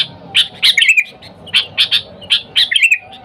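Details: Sooty-headed bulbul, a lively bird calling to wild companions, used to lure other bulbuls: bubbly, liquid phrases of three or four quick notes, repeated about every second, clear and loud with no other sounds.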